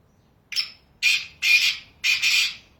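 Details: Black francolin in its natural habitat in Pakistan giving four harsh, grating notes: one short, then three longer rasping ones about half a second apart, high-pitched and scratchy.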